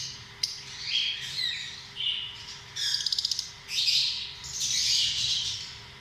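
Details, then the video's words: Lovebirds, small social parrots, giving high, harsh chirps and squawks in overlapping bursts, with a quick rattling run of clicks near the middle and a long scratchy chatter toward the end; faint low hum underneath. "Amazing sound of love birds"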